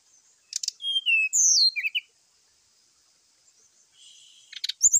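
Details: A brown-chested jungle flycatcher's morning fighting call, aimed at provoking other birds: rattling clicks, long bright whistles sliding down, a quiet stretch, then a buzzy note and further rattles with whistles.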